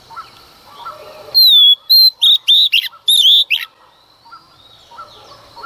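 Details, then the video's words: Female Oriental magpie-robin singing in early morning to provoke males, giving a clear falling whistle, a second short whistle, then a fast series of loud, sharp notes; soft chirps before and after. "Choè than mái hót kích trống hót căng sáng sớm"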